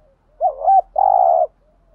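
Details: Spotted dove cooing to stimulate other doves, mixing urging coos and calling coos: a short rising-falling note, a brief gap, then one long steady hollow coo, loud and clean against a silent background.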